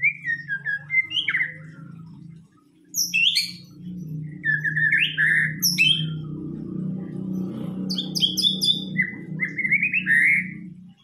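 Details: Lure song of a White-rumped shama: loud whistled phrases and sharp high chips in quick succession, over a steady low droning hum in the background.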